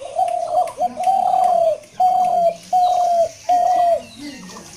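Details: Dove cooing steadily: a series of five smooth, mid-pitched, level coos, each about half a second long and slightly falling at the end, spaced under a second apart, with faint higher chirps alongside.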